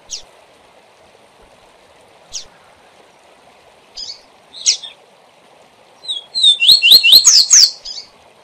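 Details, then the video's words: Tutor recording of a rusty-collared seedeater giving the SIL SIL ZEL ZEL song for learning birds: isolated sharp chips, then a rapid run of bright, upward-sweeping whistled notes near the end, over a faint steady background hiss. "Canto SIL SIL ZEL ZEL - Encarte e Manejo de Coleiros - Coleiro Professor Aprendizado"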